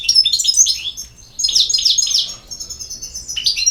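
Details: Rapid, high, tinkling twitter phrases from a European goldfinch in Bosnia and Herzegovina, broken by short gaps, with bright slurred notes and fluttering trills.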